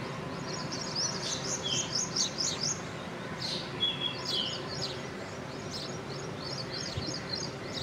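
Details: Black drongo calls: a run of sharp, high chirps and short metallic notes, several quick bursts repeated irregularly, over a steady broad hiss of background noise.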